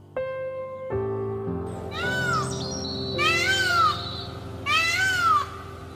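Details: Peacock giving two loud, drawn-out wailing calls, each arching up then falling, about a second and a half apart, over steady background music.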